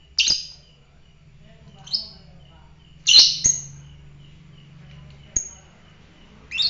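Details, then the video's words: Fighter lovebird producing loud, harsh, high chirps, five bursts separated by pauses of one to two seconds, with low hum in the background. "fighter lovebird"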